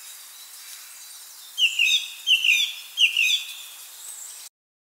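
A song thrush sings one bright, high whistled phrase three times in quick succession, each a pair of sharp rising notes, over a soft background hiss.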